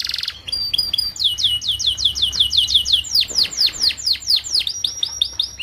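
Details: Canary song in 'paud' style used to master young group-housed canaries: a short buzz and chirps, then a steady series of loud down-sweeping whistled notes, roughly two each half second, running on without pause.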